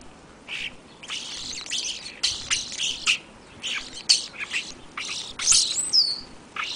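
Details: Feeding European starlings on February 8, 2013, in the afternoon before a blizzard arrived overnight; a busy run of harsh, high, buzzy chirps and squeaks, many short bursts close together with a few sharper, louder notes.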